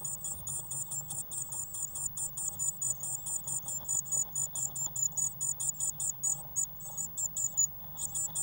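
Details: Growing Eurasian blue tit chicks in a nest box, recorded 1 June 2016 and fed waxworms, keep up a continuous stream of rapid, piercing high begging notes, pulsing about twice a second, with a faint low hum.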